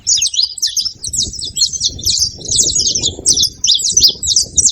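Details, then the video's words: Saffron finches, male and female, making noise with rapid, unbroken high-pitched chirping and scratchy twitters, several notes per second, over soft low background noise. "Canarinhos da terra fazendo barulho fêmea e macho"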